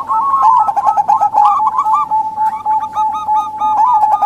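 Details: Lure calls of local female zebra doves meant to provoke males into singing; dense, loud, rolling coo phrases from several overlapping birds run without pause over a constant low tone.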